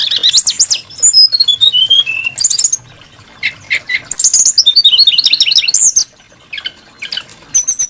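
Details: Brown-chested jungle flycatcher song, a bird valued for its varied, melodious voice: loud bursts of clear whistled notes sliding up and down, falling series and quick wavering trills, separated by short pauses.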